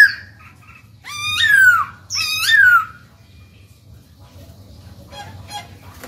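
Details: Captive black-throated laughingthrush singing to encourage newly caught birds to start singing: two loud, harsh-edged whistles that fall away, then faint scratchy chatter and near silence.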